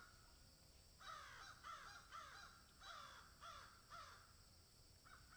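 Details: Crows in a field give a run of harsh, nasal caws, each falling slightly at the end, about seven in quick succession roughly every half second, over a steady faint hiss.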